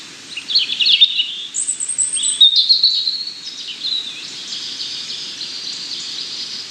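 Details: A European robin sings a continuous flow of thin, high whistles and rippling notes, one sharply rising to a very high sustained note, over steady background hiss.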